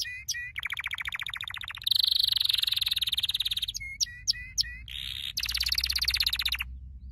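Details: Canary training song: alternating rapid trills and sharp chirps, with dense buzzy rolls and brief pauses between phrases.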